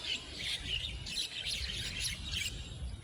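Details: Javan mynas in an aggressive territorial fight that grows from a two-bird duel into a group brawl give a dense, continuous jumble of harsh chattering and squawking calls, several birds at once, over a low rumble.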